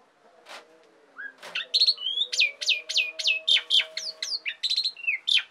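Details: Asian pied starling singing vigorously, a recording meant to lure and tutor songbirds: after faint notes, a fast run of sharp whistled and falling chirps repeats about four times a second, over a low steady hum.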